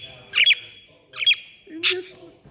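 A parakeet gives three short, scratchy chirps about half a second to a second apart, over a low hum and a faint voice.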